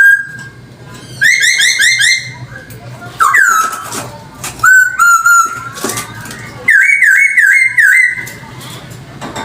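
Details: Lure recording of a Chinese hwamei singing rich whistled phrases: a rapid bouncing run of repeated notes, a falling slur, long steady whistles and a wavering series of loops, with brief gaps and a low background hum.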